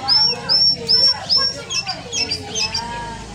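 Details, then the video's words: Canary in lively, vigorous song: four loud, clear upswept whistled notes about every half second, then quicker, fainter twittering phrases, with softer lower-pitched sounds running underneath. "suara burung kenari gacoor"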